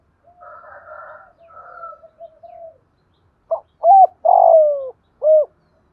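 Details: Spotted dove in the 'thổ pha đồng' voice, urging and calling coos to trigger rival doves: soft, rough, murmured cooing first, then one loud four-note hooting phrase with a long sliding third note.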